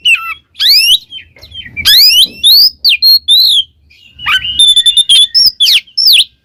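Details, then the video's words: An oriental magpie-robin sings loud, sweeping whistles that rise steeply, mixed with trilled flourishes and chirps, in a strong performance for training pet birds. "SUARA burung Kacer GACOR NGEPLONG paling ampuh"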